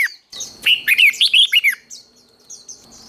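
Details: Red-whiskered bulbul in contest-training song (hót đấu): a single strong phrase of rapid, bouncing, slurred whistles that lasts about a second, trailing off into soft high twitters.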